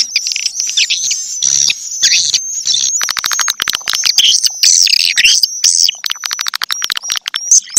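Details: Calling swiftlets: loud dense bursts of rapid clicking chirps and twittering, broken by brief pauses, over a constant high ringing tone.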